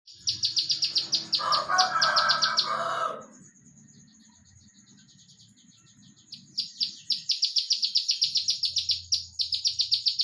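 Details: Olive-backed tailorbird singing in the rapid 'nembak rapat' style: fast runs of sharp, high downslurred notes repeated several times a second, broken by a burst of lower chatter and a quiet pause before the runs resume.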